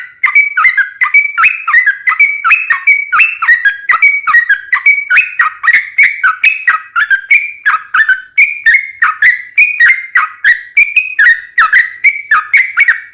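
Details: Sooty-headed bulbul in long 'ropel' singing, played to provoke a reply: a steady stream of rapid, liquid warbled notes, each briefly dipping then rising, repeating evenly for over ten seconds in a clean recording.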